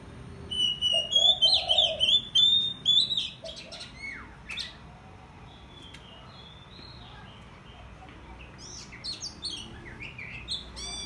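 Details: Oriental magpie-robin being tamed, delivering a rapid run of varied whistled and warbled phrases for about three seconds, then scattered sharp notes and short chirps, with a low cooing dove at the start.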